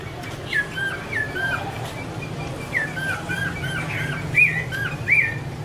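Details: Chinese hwamei song of the 'mái te' type from a female, a male singing in the background: faint looping whistled phrases repeated in small groups, a few louder sharp notes near the end, steady low hum underneath.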